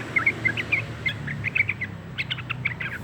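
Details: Young sooty-headed bulbul, two months old and still learning to sing, gives a brief burst of clear, bright chirps and slurred twitters in quick succession, with a faint low hum underneath.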